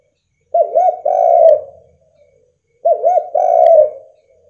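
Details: Spotted dove used as a lure so other doves respond; two phrases, each opening with two quick wavering coos followed by one long, steady, purring coo that fades out.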